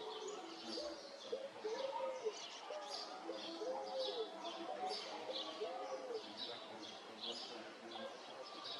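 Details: A Picazuro pigeon (Patagioenas picazuro) relaxing at sunset gives low, rounded coos in short repeated phrases, with high chirping from other small birds in the background.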